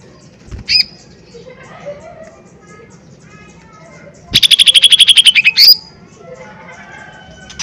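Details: Lesser green leafbird in loud, energetic song: a short whistled note, then a fast rattling trill of evenly repeated harsh notes lasting over a second, ending in a bright slurred whistle.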